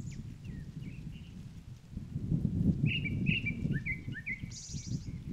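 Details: At Upo Wetland's otter marsh, with Chinese milk vetch flowering, a Grey-backed thrush sings a string of short whistled notes that drop in pitch, ending on a higher buzzy phrase; constant low rumbling noise underneath.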